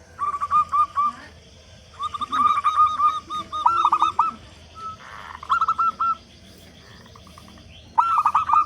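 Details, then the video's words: Local zebra dove, strong caller used as a prompt for other doves: several short phrases of soft repeated coos and rolling trills separated by brief pauses, with faint background chirps. "Perkutut Lokal Gacor Suara Besar Pancingan Burung Perkutut Agar Cepat Bunyi"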